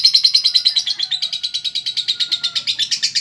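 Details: A female lovebird delivers nonstop konslet chatter, high, harsh, rapidly repeated notes at about three per second, steady throughout with faint background hum.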